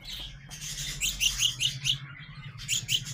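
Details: Growing young house sparrows giving a run of short, bright chirps, several in quick succession, loudest in the second half, over a steady low hum.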